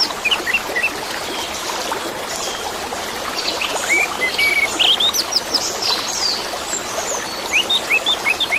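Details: Varied Orange-headed thrush song with trickling, flowing water throughout, offered as therapy for birds that have stopped singing: brisk whistled phrases, quick upward slurs and clustered twittering notes, busiest toward the middle and end.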